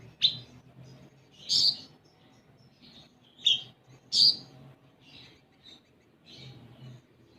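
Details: Olive-backed sunbird lure song for prompting untrained birds to sing: four loud, high, sharp chips spaced a second or more apart, with fainter chirps between them over a soft low hum.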